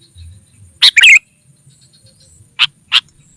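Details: Sooty-headed bulbul lure call used to draw in wild rival bulbuls: a quick bubbly cluster of bright chirping notes, then two short separate chirps about a third of a second apart, over a quiet background.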